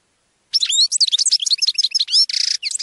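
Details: European goldfinch song used for teaching captive birds: a fast, unbroken run of twittering high notes, liquid trills and a buzzy rasping burst near the end, all crowded into under three seconds.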